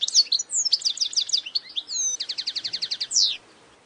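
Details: Wild European goldfinch song, unique to this individual: liquid twittering notes leading into a rapid series of clipped repeated notes, brief slurs, then a steady trill of about twelve buzzy pulses and a final downward sweep.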